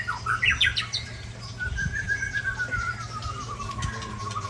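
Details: White-rumped shama, a large-bodied bird from Ujong Pancu in Aceh, opening with a short burst of sharp chirps, then holding one long clear whistle that slowly slides downward for several seconds over a low background hum.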